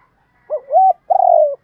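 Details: Spotted dove cooing in the gáy thúc and gáy gọi styles from Vietnam: a short rising-falling note, a flat sustained coo, then a longer, slightly falling, throbbing coo, all low and mellow against a quiet background.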